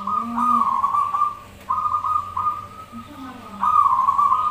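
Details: Zebra dove singing in a lure recording, with birds answering each other. A sustained, finely trilled cooing phrase repeats in long runs, broken by brief pauses. Lower murmuring sounds sit underneath.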